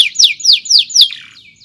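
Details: Canary song used for training other birds: four loud downward-sweeping whistled notes in quick succession, evenly spaced, fading into a softer trailing phrase.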